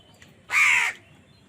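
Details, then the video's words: Crow fighting for food, giving a single loud, harsh caw about half a second long, rough and broadband, with quiet background before and after. "কাকের ডাক Crow Sound Crow ki Awaz Loudly | Crow bird Fight for Food"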